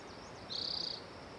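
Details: Short rattling trill of a spotted towhee, high and buzzy, about half a second. Soft high slurred notes precede it over a constant hiss.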